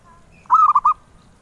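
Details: A single perkutut (zebra dove) phrase of the melodious kind sought by collectors: four rapid, rolling cooed notes run together in under half a second.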